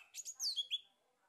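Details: Male orange-headed thrush used as a lure to stimulate singing: a short, quiet phrase of a few quick high chirps, then sweeping whistles that slide downward and end in a brief clear note, followed by silence.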